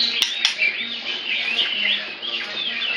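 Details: A loud white-rumped shama with a tail almost 8 inches long and still growing pours out a rich, continuous run of sweet, varied whistles and slurred notes, with two sharp clicks near the start.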